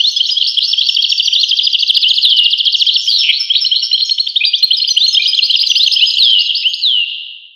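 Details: European goldfinch song, dense and continuous, with rapid liquid twitters, buzzy trilled runs and a dipping slurred note, tapering off at the end.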